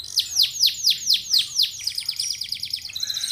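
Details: Lure song of a canary, meant to make other canaries sing along: seven loud curved, sweeping whistles in quick succession, then a fast, fainter chattering trill.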